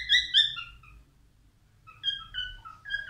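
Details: Whistled song of a male albino cockatiel: a bright opening pair of notes, a quiet gap, then a run of gliding, slightly falling whistles.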